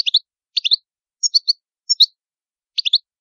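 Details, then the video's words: Italian European goldfinch giving quick groups of two or three liquid, slightly rising chirps, about two per second, sounding clear and close in a silent setting. "Canto Ottimo Bello del Italiano Cardellino"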